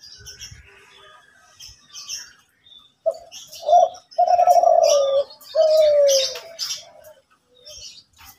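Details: Morning song of a Kelantan zebra dove in full voice: quiet start with distant chirps, then two short coos and two long, rolling, slightly falling coo phrases, followed by a soft closing note.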